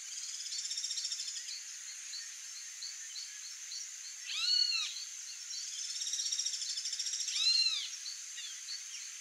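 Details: White-rumped Monjita (Xolmis velatus) giving two short, arched, ringing notes about three seconds apart, over a steady high buzzing chorus of insects or distant birds.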